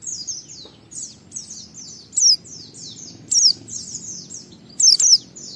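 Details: White-eye song used to provoke other white-eyes into singing: a steady flow of soft, high descending twitters, punctuated by three louder shrill bursts, the last one doubled.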